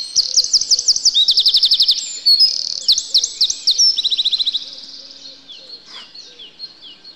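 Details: Eurasian wren in a yard in winter, where wrens stay alongside great tits, robins and sparrows until spring. Loud, very high, fast rattling trills follow one another in quick succession, then fade into a few thin, scattered high notes.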